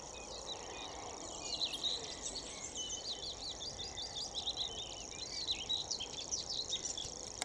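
A willow warbler gives a run of sweet, high, slurred notes, over a steady high insect hiss and faint background rumble.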